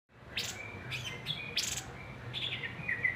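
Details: Black-headed babbler song from a masteran training recording: bright, high chirps and short buzzy bursts with brief thin whistled notes, delivered in separate phrases across about three seconds, over a soft low hum.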